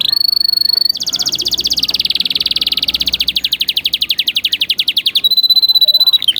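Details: Canary tutor song for training young canaries. A high rattling trill opens into a long run of rapid, regular falling whistles that slow slightly, then returns to a thin high trill.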